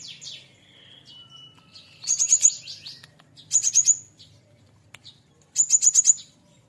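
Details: Cinereous tit, hand-reared from a nestling and now nearly adult, kept caged and singing a varied learned repertoire. Three short bursts of very high, rapid, sharp chattering notes come about every 1.5 seconds, with quiet gaps and faint background hum between them.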